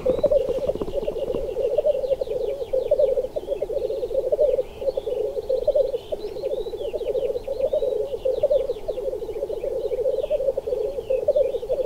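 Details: Displaying black grouse males keep up a steady, dense bubbling coo in waves of rising and falling loudness, while faint high chirps and clicking notes from other birds run over the top.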